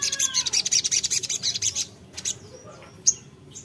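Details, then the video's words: A little spiderhunter in full, lively song, calling a rival. It gives a fast run of sharp, high, chipping notes, about thirteen in under two seconds, then a few scattered high chirps and whistles. "sogok ontong (sogon) GACOR memanggil lawan"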